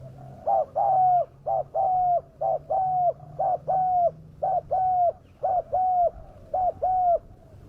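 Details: Spotted dove call used as a lure to draw wild doves down: paired cooing notes, a short coo followed by a longer, steady one, repeated about once a second, over a faint low hum.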